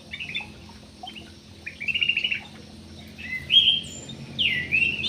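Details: Parakeets in an aviary giving short harsh chirps and longer grating, slightly rising squawks in bursts, with quiet gaps between and a low background hum.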